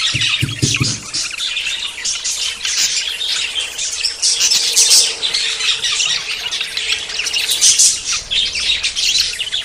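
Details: Budgerigars in courtship before breeding: busy high twitter and squawky warbling from many birds, opening with a few quick low thuds, then steady overlapping chatter throughout.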